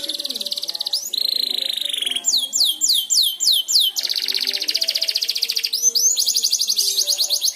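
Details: Young canary practising its song, stirred by another canary singing: rapid rattling trills alternate with runs of high swooping downslurred whistles, then more fast, even trills, all very high-pitched.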